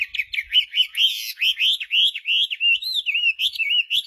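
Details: Hwamei in full song, pouring out a continuous string of bright whistled notes that swoop up and down, each roughly a quarter-second long, delivered at a steady, rapid pace with no background noise.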